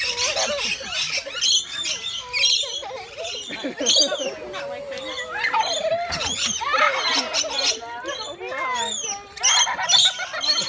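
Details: Male rainbow lorikeet (Trichoglossus moluccanus) at Longleat Safari Park in 2017 gives harsh, rapid protest squawks and grating chatter in bursts when a child touches his feathers while feeding him, with a person's voice briefly audible.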